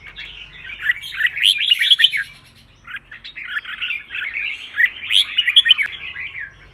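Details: Red-whiskered bulbul song for contest training of caged birds and stirring up newly caught birds: two long runs of bubbly, chattering whistled notes separated by a short pause, with a faint low hum in the background.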